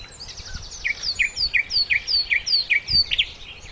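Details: Sikatan londo, a flycatcher, in a master recording for training songbirds: a fast series of sharp, high descending whistled notes, repeated roughly every third of a second, over faint low background noise.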